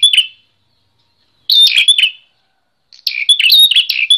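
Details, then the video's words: A bar-winged prinia in full voice, recorded as training material for other songbirds: a brief chirp, then two busy phrases of piercing, rapidly alternating high notes after a clear silence. "Prenjak Klawu Gacor!"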